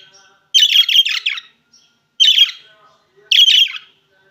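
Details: Opaline green and opaline blue budgerigars give three bursts of harsh, scratchy chatter: a longer one of about a second, then two shorter ones, bright and grating, in a quiet room.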